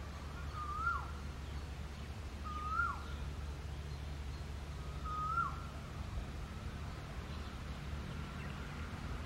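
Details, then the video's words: Two female rose-ringed parakeets fight for dominance over a tree-hole nest, giving three harsh, downslurred squawks about two seconds apart, over a steady low rumble of wind or distant traffic. "Two Female Green Parrots Fighting for the Nest"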